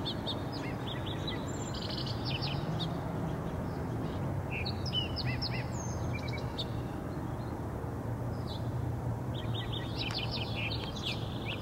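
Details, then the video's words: Purple-throated carib recorded 18 June 2015, giving sharp, high chips and quick twittering bursts in scattered clusters, over a steady low rumble of wind or distant background noise. "Purple Throated Carib Colibri"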